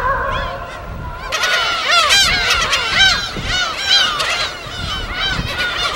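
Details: Wild gulls at their colony on an uninhabited Gull Island in Korea's West Sea, field recording: a steady tonal hum opens, then from about one second a dense chorus of overlapping arched, wailing calls rises and falls.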